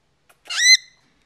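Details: Pet cockatiel, a talkative 14-year-old male, gives one short harsh squawk that rises sharply and then breaks off, in a quiet room.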